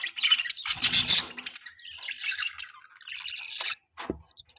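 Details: Pet budgerigars, described as happy, chattering in a dense burst of high chirps and squawky warbles. The calls are loudest near the start, then continue as softer, broken twittering with brief pauses.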